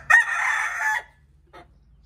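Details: Cockerel in a backyard chicken coop at feeding time, hens busy laying eggs and chasing each other: one loud, harsh, harmonic-rich cry lasting about a second, followed by a brief faint note.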